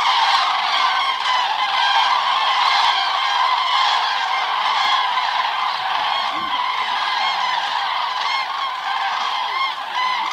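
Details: Huge gathering of common cranes at Hortobágy, Hungary, stopping over in autumn before wintering further south, flying to night roosts in the evening: loud, continuous chorus of countless rolling, bugling calls overlapping throughout.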